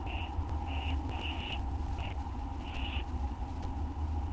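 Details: Owls at feeding time on a live camera late on an August 2011 night; quick harsh screech bursts, some paired closely, over a steady low background hum with faint clicks.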